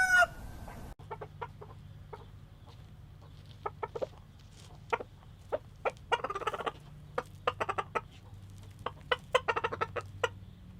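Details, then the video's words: Rooster calling hens to come get food: a quick series of short, sharp clucks and tidbitting notes, scattered irregularly and growing busier toward the end, with faint low hum underneath and a brief tonal sound at the start. "Rooster Sounds Hens for food"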